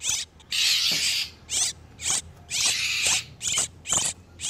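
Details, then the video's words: Oriental magpie-robin, male and female in breeding condition, played as a lure for wild birds; long grating, churring bursts alternate with shorter scratchy notes, with no clear whistles. "SUARA PIKAT BURUNG KACER TERBARU/SUARA KACER BIRAHI"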